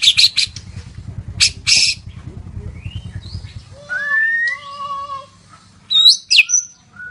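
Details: Lure song from a white-rumped shama to encourage other shamas to sing: bursts of harsh chatter, then clear drawn-out whistles and a few sharp high notes.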